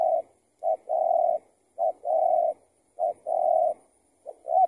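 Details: Spotted dove answering a decoy during trapping, giving low, hoarse coos: a short note followed by a longer drawn-out coo, repeated about every 1.2 seconds, in a quiet setting.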